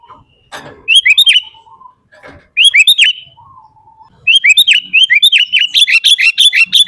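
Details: Lively Sooty-headed bulbul song for luring and tutoring bulbuls: separate bursts of fast, bright, chattery notes, ending in a long continuous run, with a few soft lower tones and clicks between them.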